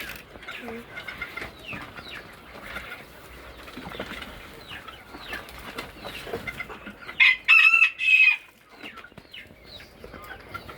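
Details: Caged farm quails, with many males among them, chirp softly and constantly, then one gives three loud, high, clipped notes in quick succession; quiet human voices faintly heard. Common quail.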